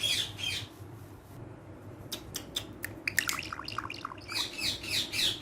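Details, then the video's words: Green Urdu-speaking pet parrot being playful with a hand; fast, varied chirps, clicks and warbled squeaky notes, briefly quieter in the middle, then a dense burst of chatter. "Urdu Bolne Wala Tota || Green Talking Parrot"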